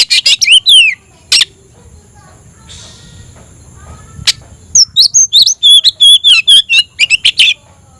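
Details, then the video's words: Oriental magpie-robin singing to call a rival to fight: a few harsh and whistled notes, a quiet gap with one sharp click, then a rapid chattering series of high whistled and slurred notes. "kacer gacor‼️kicau burung Kacer gacor memanggil lawan tarung"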